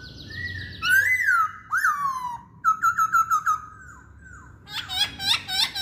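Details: Chinese hwamei song: rich, sliding whistled notes, then a run of quick repeated whistles, ending in a burst of higher chattering phrases over steady background hiss.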